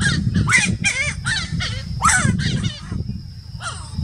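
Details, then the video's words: Giant wood-rail (Aramides ypecaha) singing at Laguna del Diario, Uruguay, December 2018: loud, harsh, raucous shrieks and cackles tumbling out about three per second, over a low rumble and a faint steady high insect-like whine. "Aramides ypecaha singing"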